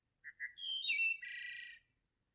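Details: Wood thrush (Hylocichla mustelina) male courtship song near Lexington, Kentucky, in late March: two soft lead-in notes, a loud fluty 'ee-oh-lay' phrase, then a buzzy rattling trill, all within two seconds.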